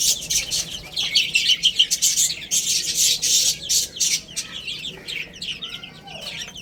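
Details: Young chicks eating and playing, giving a dense run of high, piping chirps that is loud at first and then thins out, with soft pecking clicks underneath.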